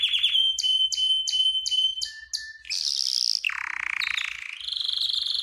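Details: Canary singing, used for song training and to stimulate females for mating: a high held whistle under a quick series of repeated chirped notes, a brief lower steady tone, then harsh broadband bursts and a rolling, buzzy high trill.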